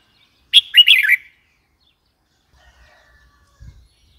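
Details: A red-whiskered bulbul gives one quick bubbling phrase of bright wavering chirps, then silence apart from a faint low thud.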